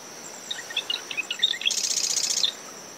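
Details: One marsh wren song near a nest in dune shrubs at SMNWR, early morning after tropical depression Claudette: stuttering tick notes speed up, then a harsh rattling buzz; wind and waves hiss behind a steady cricket drone.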